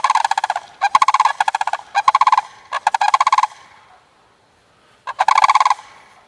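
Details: A sandhill crane pair, a male and a female, jumping around in play before mating season. Their rattling, trilled calls come in quick stuttering bursts, then a pause of over a second, then one final rolling burst.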